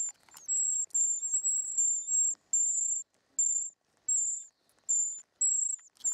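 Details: Short-toed treecreeper nestlings begging while being fed in the nest, giving long, steady, very high hissing notes in drawn-out bursts with short pauses, plus faint clicks at the start.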